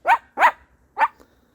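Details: Pet Moluccan cockatoo imitating a dog's bark on spotting its dog friend while out on a walk, barking to signal the dog was out; three short, gruff barks within about a second, in quiet surroundings.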